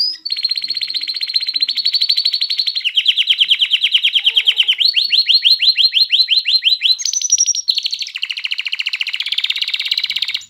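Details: Canary song meant to stimulate females to mate and chicks to sing: long, rapid trilled rolls at a steady high pitch. Each roll changes speed and tone every second or two, with a brief higher whistle near the end.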